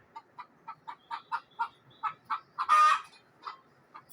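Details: Scared hen in a village of Neelum Valley, Kashmir: a steady string of short, throaty clucks about four per second, rising into one long, harsh squawk, then two more clucks.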